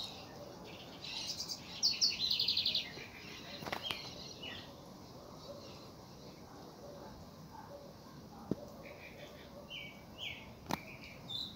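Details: House wren giving one brief, fast run of high, sharp repeated notes early on, followed by a few faint short high notes and scattered clicks over a steady background hiss.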